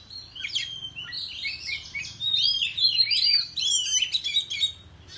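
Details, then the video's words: Oriental magpie-robin performing a competitive song with tail-fanning in rural surroundings: a quiet start, then a dense jumble of quick twittering, buzzy whistles growing louder in the middle. "Chích Choè Than Hót Múa Xoè Hót Đấu Tại Vùng Quê"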